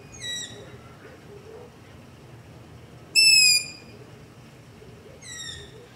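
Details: Long-eared owl begging calls recorded at night near a house, identified by app: three high, thin, squeaky notes that slide downward, one every two to three seconds, the middle one loudest, over quiet background hiss.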